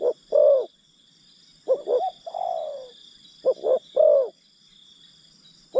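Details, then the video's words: Spotted dove decoy luring wild birds, giving low three-part coos, two quick notes and a drawn-out one, plus a long descending slurred coo midway; a constant thin high drone runs underneath. "Pikat Terkukur Aksi denak memujuk burung hutan"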